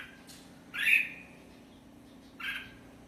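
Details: Red-whiskered bulbul calling twice, each a short rasping note with a downward slur, the first louder, separated by a pause of about one and a half seconds, against a faint low hum.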